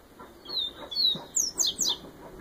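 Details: Bahian yellow-bellied seedeater in Viviti-style song, a high thin song of drawn-out whistled slurs followed by three quick, sharp, descending notes near the end, with faint low background noise.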